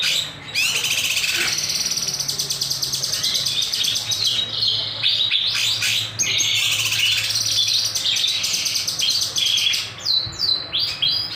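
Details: Actively singing kinoy bird, recorded as a lure, with sharp sweeping notes: long, high, dense twittering phrases and sudden loud accents, separated by a couple of short pauses.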